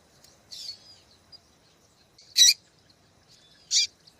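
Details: Female double-collared seedeater sounding the call that excites males into song: a soft buzzy note, then two loud, high, harsh chips about one and a quarter seconds apart, with near silence around them.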